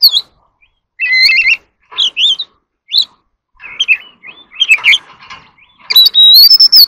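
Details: Competitive song of an Oriental magpie-robin: spaced bursts of warbled whistles and quick rising notes, then a loud, sustained, high whistle mixed with harsh chatter at the end.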